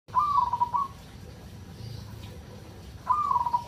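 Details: Local Indonesian zebra dove in the raspy 'kerot' song style, played to stir breeding urge in other doves: two smooth, slightly descending cooing phrases about three seconds apart over a low steady hum.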